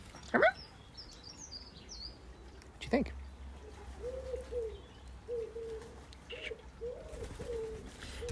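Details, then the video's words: Doves coo softly in low, hollow phrases every second or two, indoors on 15 April 2020 among tame birds near their keeper, with thin chirps, sharp clicks and handling noise. "those are doves. That's some tender dove action you're hearing."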